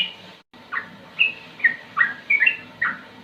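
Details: Sooty-headed bulbul in a slow song with ropel phrases: short bubbly whistles every half second over steady low background noise.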